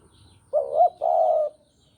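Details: Spotted dove from Java, recorded as a trapping lure, giving one two-part coo: a brief rising note that dips, then a drawn-out level coo lasting about half a second, in a quiet setting.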